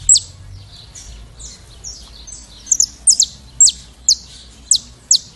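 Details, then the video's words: Saffron finch (Sicalis flaveola) giving its classic song: high, thin notes that build into loud, sharp, steeply falling chips about every half second, over a faint low hum. "Canário da Terra Sicalis flaveola canto clássico"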